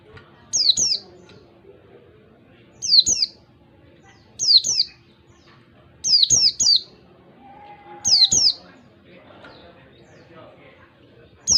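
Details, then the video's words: Oriental white-eye in the wild, a lure for caged birds, repeats groups of one to three sharp, high, descending whistles every one and a half to two seconds. A brief steady lower tone sounds midway. "pancingan pleci ngalas 1 2 3 ketukan"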